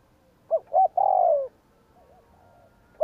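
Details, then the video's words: Spotted dove 'gù kích' coo: two brief low notes, then a sustained, smooth coo sliding downward, followed by faint wavering murmurs before another note begins. "Tiếng cu gáy gù kích chuẩn / Chim cu gáy gù kích bổi chuẩn nhanh nổi / Cu gáy gù phóng"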